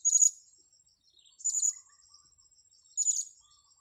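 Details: Blue-crowned hanging parrot in a luring context calls three times at roughly one-and-a-half-second intervals, each a brief, piercing, high-pitched squeaky chirp over a thin steady tone.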